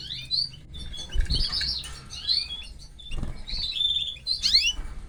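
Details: Canary chicks begging as the mother canary feeds them, high wavering chirps in clusters with brief pauses, plus a couple of soft fluttering thumps.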